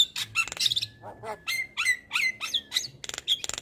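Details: Male Javan myna, very vocal, recorded as a master song to train other mynas; short whistled notes slide upward, mixed with buzzy chirps and clicks in a quick, varied run.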